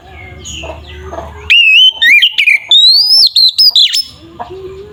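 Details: Oriental magpie-robin (kacer) singing 'ngeplong' style to provoke other magpie-robins to fight: after soft hum, a loud run of sliding whistles, chirps and a sustained high warbled phrase, then quiet again.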